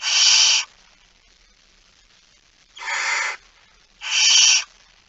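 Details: Barn owl with a mouse, recorded 17 September 2019 at 06:11: three harsh, broadband hissing screeches, each about half a second, the second and third close together after a pause, over a quiet background.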